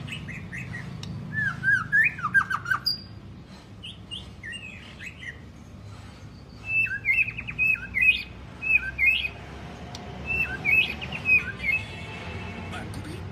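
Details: White-rumped shama in long song, used as a training recording to rouse shamas into singing; varied whistled phrases with sharp rising and falling slurs, delivered in bursts separated by short pauses, over a faint low hum.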